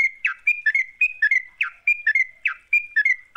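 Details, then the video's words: Lure recording of a lively sooty-headed bulbul: short whistled notes alternating with quick falling slurs in a bouncy, repeated phrase, clear and loud against silence. "Pancingan trucuk GACOR, sekali dengar trucukanmu gak bisa diam."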